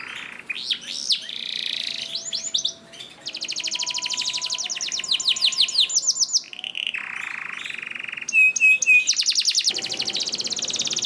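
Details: Long canary song intended to train canaries that rarely sing: swooping notes give way to extended rattling trills, a buzzy steady block, and short high clipped whistles near the end.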